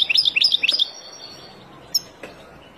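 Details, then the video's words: Wild European goldfinch song, played to teach young birds: a fast run of bright twittering, tinkling notes in the first second, then near silence with two faint isolated chips. "تغريد طائر الحسون البري لتعليم فراخ"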